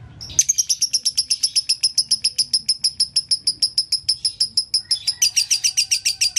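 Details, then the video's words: Master song of a lovebird in the gacor konslet style: a quick series of high, clicking chirps that speeds into a denser, harsher burst near the end, over a soft low hum. "LOVE BIRD GACOR ( KONSLET )"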